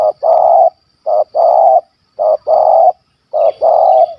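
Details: Wild spotted dove in Malaysia, a hunters' target described as a stuttering 'gagap' bird with a big voice in 'kuk 1 2' style, giving loud low coos in short-long pairs, four pairs about a second apart, over a steady high thin whine.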